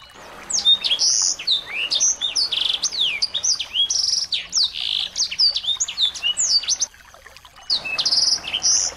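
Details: Small birds played as a provocation for a white-rumped shama; continuous rapid chirping of high swooping whistles and buzzy bursts, briefly cut off near the end before resuming.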